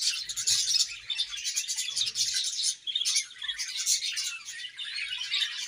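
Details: A colony of budgerigars chirping while eating: dense, overlapping high chatter and twittering from many birds at once, continuous with brief dips in loudness.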